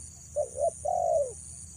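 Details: Female spotted dove luring males gives a single phrase of two short clipped coos followed by one long, slightly falling coo, with a constant high-pitched hiss behind.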